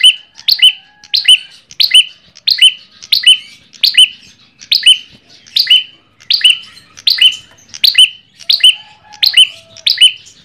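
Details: An ashy tailorbird repeats a loud, sharp, high, ringing chirping phrase about every two-thirds of a second in a steady run, used as a lure recording, with nothing else heard.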